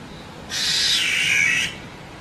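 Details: Wild black-naped oriole giving a single harsh, nasal, rasping squawk lasting just over a second, broad and buzzy, with quiet background before and after.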